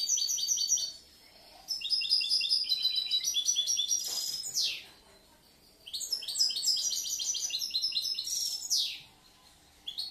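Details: Young European goldfinch, kept caged and hatched last year, sings two long bursts of fast, high, jingling and buzzy notes ending in a descending sweep, with short pauses between phrases.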